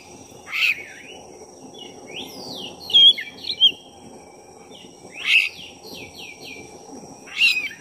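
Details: Lure song of a black-breasted oriental magpie-robin meant to stir another bird: rasping bursts about every two and a half seconds separated by varied sweeping whistles and short chirps, with a constant high-pitched hum behind.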